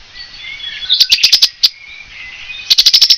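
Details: Song of a Cetti's warbler recorded in France: an abrupt volley of five or six loud, sharp, high notes, a single stray note, then another rapid emphatic burst, over quiet twittering from other birds.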